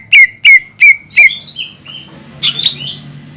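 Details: Caged greater green leafbird singing to stir other leafbirds into song: four loud sharp chirped notes about a third of a second apart, then softer whistled slurs and a brief buzzy burst.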